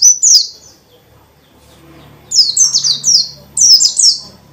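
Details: Dakun white-eye in lively, continuous ngalas-style song full of varied phrases, meant to provoke other white-eyes into singing: one high, sharply descending whistled chirp, a pause, then a rapid cluster of repeated high, down-slurred, twittering notes.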